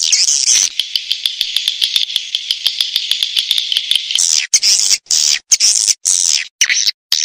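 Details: Swiftlet lure call, used in many places including remote forest areas with swiftlet houses; a fast, dense run of high buzzy chirps pulses steadily, then breaks into choppy bursts separated by short silences.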